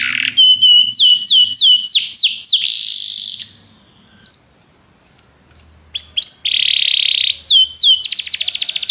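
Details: Belgian canary singing to stimulate other canaries to sing: a run of loud, fast downward-sweeping whistles, a buzzy held note, a short silence near the middle, then further sweeps and a rapid rattling trill.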